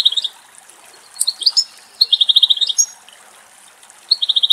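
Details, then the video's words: European goldfinch singing free in Greek countryside, recorded locally: a short twitter, then high, sliding liquid notes, followed by a quick run of evenly repeated chips and a final fast trill after a pause. "Καρδερίνα Κελάηδημα - European goldfinch song"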